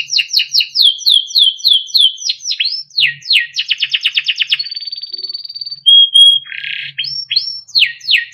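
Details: Melodic timbrado canary song for training: a run of repeated descending whistled notes, a rapid rattling trill, a thin sustained high whistle, a short buzzy burst, then more falling slurred notes.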